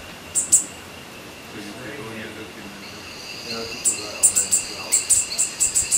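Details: Purple honeycreeper (Cyanerpes caeruleus) on the Brownsberg giving very high, thin ticking chips in short bursts, about one or two a second, over a steady insect hum and faint distant voices.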